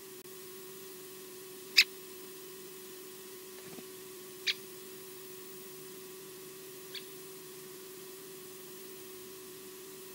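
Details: Female osprey on its nest at Loch Garten, Scotland, heard from a live nest camera: three short, sharp, high calls about two and a half seconds apart, each fading quieter, over a steady low electrical hum.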